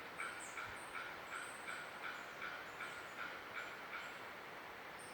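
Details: Bearded bellbird heard in November 2017 on a birding trip to Barbados, St. Lucia and Trinidad, giving a fast run of hard clanging knocks, close to three a second, over hissy background with thin high notes of other birds.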